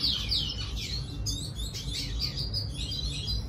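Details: Red siskin song meant to attract a female, a lively run of sharp high chirps, slurred whistles and brief trills in quick succession, with a constant low background rumble.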